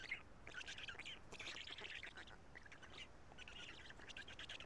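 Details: During a feeding visit to black stork young at Karula on 2 June 2017, 13:59, broken bursts of scratchy, squealing calls come in clusters separated by short pauses.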